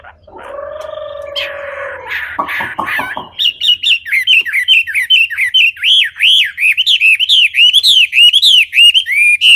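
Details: Wambi song opening with a steady nasal tone and clicks, then a rapid series of bright, looping whistled notes rising and falling.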